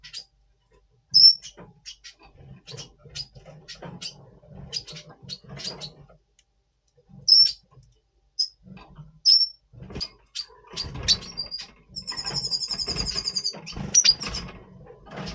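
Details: Double Pastel red siskin in pre-breeding condition, November 2023: sharp high whistled notes scattered among quiet clicks, closing with a sustained buzzy, rattling trill near the end.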